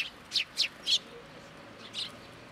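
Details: Sparrows arriving early in the morning at a Tenmangu shrine to be fed, 18 October 2022, after a full day of rain; three quick bright chirps followed by two softer ones over quiet background.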